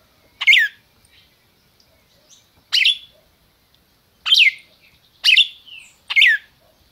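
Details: Red-crested cardinal in captivity, Brazil, calling 'máquina' style: five loud, abrupt downslurred chips over seven seconds, spaced irregularly with near silence between them.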